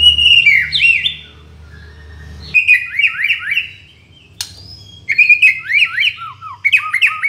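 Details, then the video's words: White-rumped shama song used for tutoring and attracting birds: rapid series of loud slurred whistles falling and rising in quick repeated loops, broken by short pauses and one sharp click, with low hum at the start. "MURAI BATU (mp3) suara masteran & memikat"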